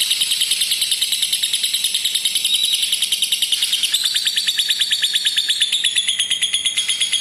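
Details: Long lovebird ngekek, played to teach young lovebirds to sustain the trill: piercing, fast-ticking chatter, steady and high, stepping to a quicker rattling rhythm halfway through and continuing to the end.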